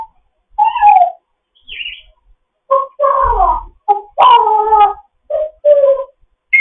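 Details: Pet African grey parrot, fostered, chatting in the morning: a long string of varied squawks, warbled whistles and nasal speech-like syllables in quick succession, loud and close.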